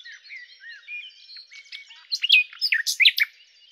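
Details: Common nightingale, Luscinia megarhynchos: soft, thin warbling and whistled slurs at first, then a loud burst of sharp, varied notes and upward and downward slurs near the end.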